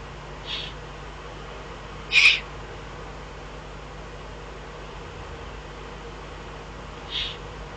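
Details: Eifel eagle-owl, June 22, 2012: three isolated rasping hisses spread over eight seconds, the middle one loud and sharp, the first and last faint, with a quiet humming background between.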